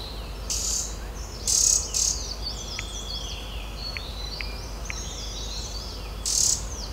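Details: Thin, high calls from a Green-backed Tit at its nest-hole in the knot of an old oak tree, feeding chicks in a Himalayan sanctuary in Uttarakhand, India; wavering whistled notes overlap, cut by a few short rustling bursts.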